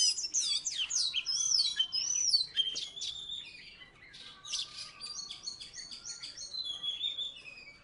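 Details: Vigorous song of a Salatiga Oriental magpie-robin, once placed third in competition: a dense run of fast whistles and trills, loudest at the start, then softer, rapid high twittering.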